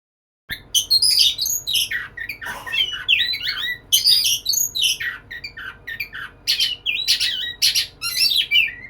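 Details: White-rumped shama, kept as a cage bird, singing loudly while courting a female: a rich run of varied high whistles, harsh squawky notes and rapid chatter in dense bursts, with a faint low hum behind.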